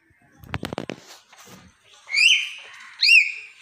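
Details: Talking common hill myna: a burst of rapid dry clicks and soft mutters, then two loud ringing whistles, each rising and bending down before holding a steady note.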